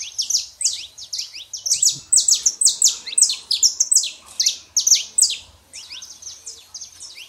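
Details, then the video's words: Saffron finch, male and female, sing to encourage a quiet canary: a long, dense series of sharp, high, down-slurred chirps in rapid clusters, with a brief pause near the end. "canário da terra fêmea e macho pra esquentar seu canário frio"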